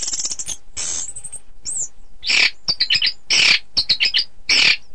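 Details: Orange-headed thrush song meant for teaching contest birds: a high rapid trill at the start, then loud harsh, broad chattering bursts repeated in clusters.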